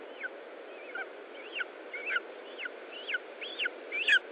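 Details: Lesser spotted eagle at its nest in Estonia during feeding, 20 July 2012, mid-afternoon; thin, arched, high yelping notes repeated about twice a second, eight in a row, over a steady broadband hiss.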